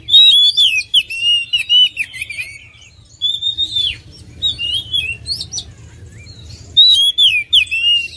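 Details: Oriental magpie-robin delivering loud bursts of varied whistled song, sweeping and warbled notes mixed with high chirps, pausing briefly between phrases before a strong final burst; a low steady hum runs underneath.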